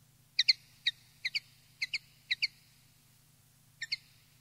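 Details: Common linnet from a wild-style tutoring recording for young birds: soft paired twittering chips, spaced irregularly, against a faint low hum.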